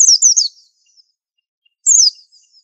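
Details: White-eye (pleci) sung in the 'super antik' style used as masteran tutor song: a fast run of high, thin descending slurred whistles, a pause, then another short falling phrase; clean, quiet background.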